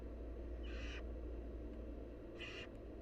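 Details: Begging from wild barn owl nestlings during a feeding by their mother, two noisy hissing screeches about a second and a half apart, set against a steady low drone.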